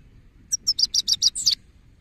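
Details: A male goldfinch gives a short burst of seven high, clipped twittering notes in about one second, ending on a slightly longer buzzy note, with quiet low hum behind.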